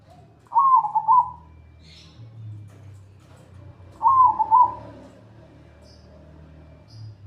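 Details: Zebra dove singing in the 'atas bawah' style, recorded as a training track for other birds: two bright cooing phrases with a quick trilled, wavering middle, about three seconds apart, over a low rumbling background hum.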